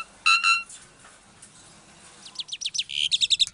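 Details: Captive-bred Asian pied starling from a breeding aviary in Klaten, Indonesia, singing to provoke silent starlings into answering: a loud harmonic note, a pause, then a quickening series of short downslurred chirps and rapid clicks.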